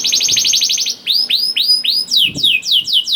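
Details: Young canary (kenari paud) song meant to make quiet canaries join in: a rapid buzzy trill, then repeated rising-and-falling whistled sweeps and quicker slurred notes.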